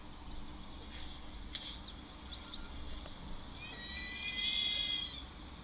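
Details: An African fish eagle in a tree at a waterhole on 10 March 2025 gives an odd, drawn-out squealing call after a few faint high chirps, over a low hum; the guide suspects a juvenile still learning its call.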